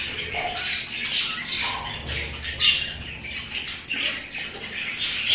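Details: Pet budgerigars trade scratchy squawks and thin chirps, with a few lower warbled notes among the higher chatter.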